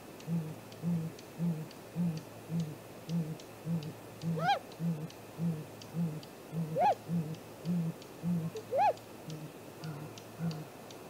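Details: Morning nest visit by a great grey owl, 2 April 2018, 7:15 am, nest-cam recording: three arched, upslurred-then-dropping calls over a steady series of low pulses repeating nearly twice per second.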